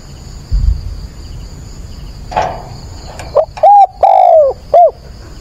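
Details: Caged decoy spotted dove calling at dawn on 22 October to provoke and lure wild doves. A few low hooting coo notes come in a short, rounded phrase of about four syllables in the second half. Before that there is a faint rustle.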